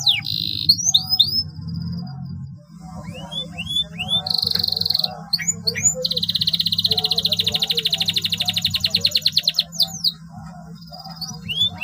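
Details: Long, lively canary song used to get silent canaries singing. Rising whistles and sharp notes lead into a buzzy burst and an extended fast rattling trill, with a constant low droning hum behind.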